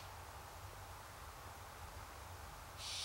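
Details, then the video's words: Hungry barn owls give a breathy, rasping hiss that swells into a louder, sharper burst at the end, over a steady low rumble. "Hungry Barn Owls"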